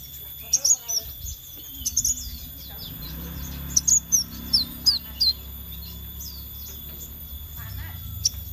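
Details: Scarlet minivet lure: several runs of high, bright, slurred notes across the recording, with a busy mid-section of five clipped notes and a faint murmur below.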